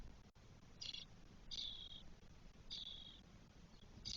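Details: Four spotless starling chicks on day 12 in their nest, Spain, 1 June 2022: a short rasp, then two longer hissy, buzzing notes, and clipped fragments at the end, with a click near the start.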